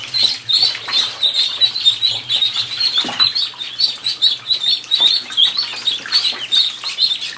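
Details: A crowd of fifty ducklings in a bathtub peeping nonstop, high piercing cheeps overlapping in rapid bursts, punctuated by water splashes and flapping.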